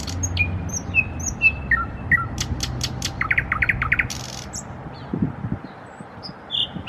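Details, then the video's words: Nightingale trills: pure whistled notes stepping down in pitch, then a rapid run of repeated chirping notes and a brief harsh buzz, ending with scattered high whistles; low background rumble throughout. "Nightingale trills / Соловьиные трели"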